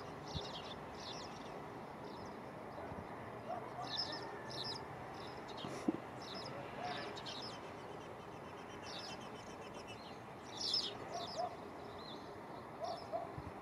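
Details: Spanish sparrow in Gáldar, Gran Canaria, February 2023, choosing its next nest site, giving short, high chirps in loose irregular bursts, some doubled, over a steady wash of background noise.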